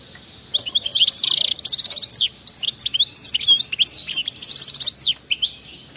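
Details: European goldfinch singing a wild-type song with rapid 'bitbita' trilling: dense, liquid, twittering phrases high in pitch, running almost nonstop from half a second in, with brief pauses near two and five seconds.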